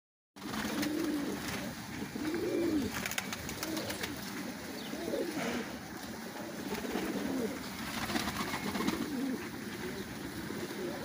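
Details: Fancy pigeons kept at a large pigeon farm in Qatar: low, soft rolling coos from several birds overlap throughout, rising and falling in short arcs, over steady background rustling and a faint hum.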